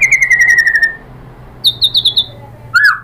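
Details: White-rumped shama song for provoking other birds to sing: a fast trill of clear notes sliding gently downward, a quiet gap, a short run of high whistles, then one loud swooping note.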